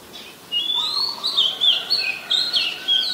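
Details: Oriental magpie-robin singing, Ubon Ratchathani, Thailand, 14 October 2021: a varied run of clear, sweet whistled phrases that slide up and down, delivered in quick succession with brief pauses.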